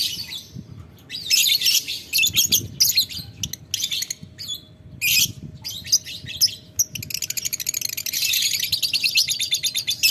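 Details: Lovebird ngetik ngekek meant to call a rival: bursts of harsh high chatter broken by brief pauses, ending in a long unbroken stretch of fast, rattling squeaks.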